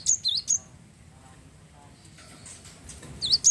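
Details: Java sparrow (glatik wingko) singing to stimulate other birds: a few sharp, high, dipping chirps at the start and end, separated by near silence.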